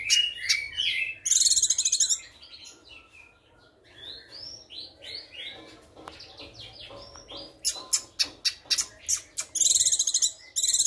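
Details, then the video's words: Young female Sumatran leafbird in moult, a daily active singer: loud high rattling trill bursts at the start and end, with softer varied chirps and short slurred notes in between. "cucakkinoy muda betina nembak"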